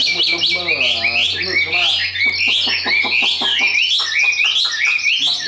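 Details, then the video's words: A hand-tamed Chinese hwamei, described as a high singer good for competition, sings a loud, rich, rapidly varied song of high whistles and slurred phrases; a human voice briefly sounds underneath, with a low electrical hum. "Họa mi số 1129 Chim thuần sách tay hót cao cầu đấu tốt"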